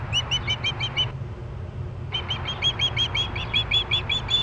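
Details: Young ospreys at a nest in Missoula, September 4, 2012, quarrelling over a meal in the evening: rapid, regular high chirps about three per second, pausing briefly, then resuming, with a low rumbling hum behind.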